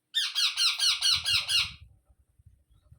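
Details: Harsh, rhythmic squawks from a baby parrot, about seven rasping bursts in quick succession, with a low rumbling thump in the background continuing afterward.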